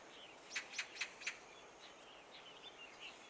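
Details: A Daurian redstart perched close by at Long Valley, Hong Kong, during winter migration gives four quick, sharp ticking calls about a quarter-second apart, then softer, fainter notes, against a quiet outdoor background.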